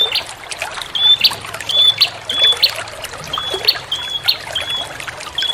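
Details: Bar-winged prinia call used as a lure, a series of high thin whistled notes roughly every half second over a continuous trickle of running water.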